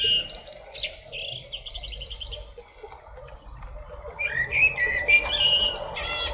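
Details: A blackbird singing: bright, fluted phrases that break into dry, buzzy high trills, followed after a quieter pause by sliding whistled notes. A steady low hum runs underneath.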